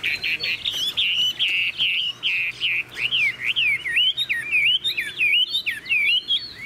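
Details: Captive Chinese hwamei sold by a Vietnamese dealer, singing loud, clear whistled phrases in pulsing bursts about every half second, shifting to looping, sweeping slurred notes in the second half.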